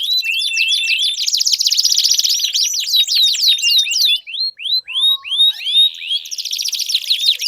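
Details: Canary song used as a lure to stimulate a silent canary to sing: dense fast trills of sweeping high notes, then a few separate rising-falling whistles before another rapid rolling burst.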